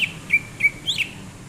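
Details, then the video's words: Greater green leafbird song at rest, January 2022: three quick clear whistles about a third of a second apart, followed by a louder buzzy rising-and-falling phrase. "Kicauan Cucak Ijo saat nyantai"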